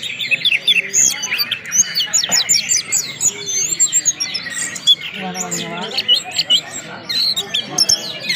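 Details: Orange-headed thrush singing in the 'ngeplong' style together with whistled sounds, used to get other thrushes singing: crowded stream of sharp high chirps, clear whistled slurs and short trills, with a lower buzzy rattling phrase midway.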